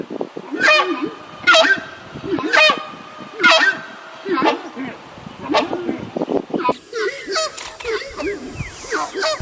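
Horned screamer giving loud, harsh honking calls about once a second, each with a rough double note; other birds chatter faintly in the background.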